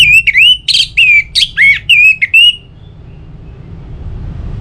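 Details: Orange-headed thrush song for making other birds sing: about nine loud, clear whistled notes with sweeping rises and falls over two and a half seconds, followed by quiet.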